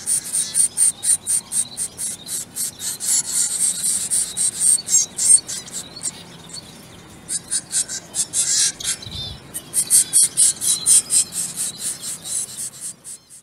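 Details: Zebra finch babies begging while hand fed, a fast string of raspy, high, buzzy calls, several each second, breaking off into a short lull with a soft thump, then resuming just as intense.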